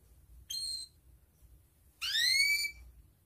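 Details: Canary in breeding condition, calling a rival and used as a lure for young canaries to learn: a short bright note, a pause, then a loud upward-sweeping whistled 'cuit' over a faint low hum.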